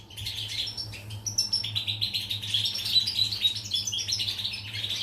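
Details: European goldfinch song recorded on 14 July 2019: a dense, continuous twittering of quick high chirps, trills and tinkling notes, with no pauses, over a low steady electrical hum.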